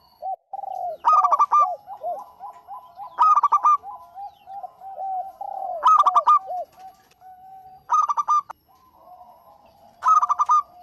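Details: Local zebra dove singing lively: bursts of rapid, clipped high cooing notes about every two to three seconds, five bursts in all, over a steady bed of softer, lower rolling coos from other doves.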